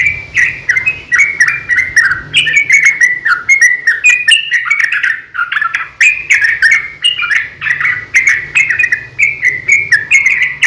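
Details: Long fighting song of a sooty-headed bulbul, a lure to get other bulbuls singing: over ten seconds of rapid, tumbling warbles and falling whistled slurs with dry ticks, barely pausing, with a faint low hum.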